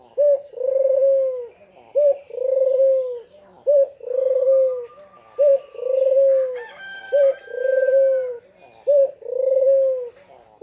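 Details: An actively calling collared dove, used as a lure to prompt quiet doves to call, gives a soft, low coo: a brief note then a long, rolling, even-pitched coo, repeated about every two seconds. Faint chirps from other birds sound once.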